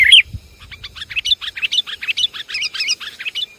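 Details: Sooty-headed bulbul from Java giving a lure call meant to draw in wild birds: a loud opening note followed by a quick, steady train of bubbly chirps rising slightly in intensity.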